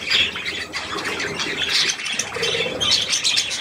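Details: Young budgerigars with millet on 3 May 2024 give a short stretch of bright, squeaky twittering in overlapping bursts, plus a brief lower buzzy note about two and a half seconds in.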